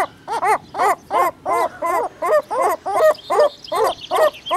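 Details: Herring gull in its breeding colony giving a long, steady run of loud, yelping notes, each a harsh, nasal downward-bent cry, repeated about three times a second for the whole stretch with little background sound.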